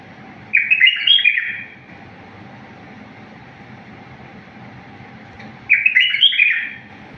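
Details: Wild-style song of a bulbul, clear and error-free for training other birds: a burst of rapid chirpy warbling, a pause of about four seconds with only a low hum, then a second similar phrase.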